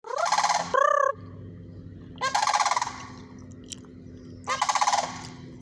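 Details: Sandhill cranes calling: three loud, harsh rolling bugle bursts about two seconds apart, each a rattling trumpeted phrase, with one short clear upslurred note between the first two; steady low hum underneath.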